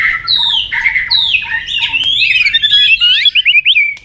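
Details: White-rumped shama in competitive, tail-flicking song: clear slurred whistles, then a fast, dense jumble of rising and falling chirps and twittering notes, loud and continuous throughout.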